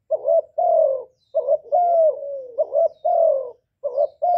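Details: Spotted dove singing to stir other doves, clear deep coos: short double notes, then long smooth falling notes, one phrase roughly every second in a quiet setting.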